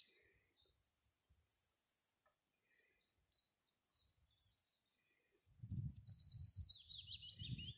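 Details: Close-by willow warbler in blustery wind: faint high notes early on, then a clear phrase of sweet whistled notes stepping down the scale near the end, with gusts of low wind noise buffeting the recording.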